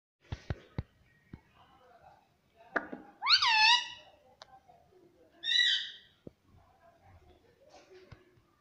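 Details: Pet talking parrot, said to be saying mummy and papa, indoors; two loud harmonic, rising-then-falling word-like calls near the middle, separated by soft clicks and taps.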